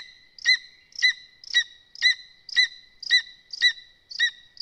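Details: At a Zemgale nest of lesser spotted eagles, watched live, the mother feeds the chicks while the male brings voles and birds. Clipped, piercing notes sound evenly about twice per second, with a thin steady whine behind them.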